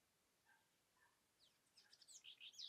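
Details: Southern House Wren (Troglodytes musculus) in Amapá, Brazilian Amazon, sings: two soft, low notes, then a fast, bubbly run of high chattering trills that grows louder toward the end.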